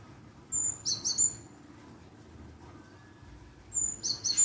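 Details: Java sparrow lure calls used to provoke an answer: two bursts of high, thin, piping chirps, each a tight run of three or four clipped notes, separated by about three seconds of quiet murmur.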